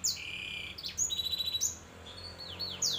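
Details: Song of a canary crossed with a black-throated canary: a varied phrase of high whistled notes, sharp downward sweeps, a steady held tone and a quick buzzy trill, over a faint low hum.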